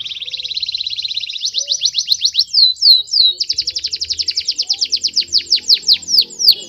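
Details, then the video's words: Fierce canary song. It opens with a fast, even high trill, then moves to louder, slower downward-sweeping whistles repeated about four times a second. Faint low rumbles sit in the background. "KENARI BOJO GALAK"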